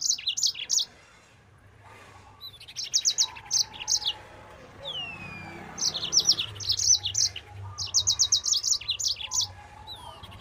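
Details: Yellow-fronted canary singing fast 'nembak' song at full speed, used as a master recording for training other birds: bursts of rapid high buzzy trills and chirps, repeated about every two seconds, with a few thin down-slurred whistles and a faint low hum beneath.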